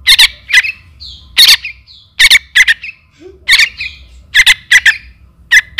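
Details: A young trukan calling its parent, used as a lure call, gives harsh, raspy squawks in short bursts and doubled notes about every half second to second, with faint softer chirps between.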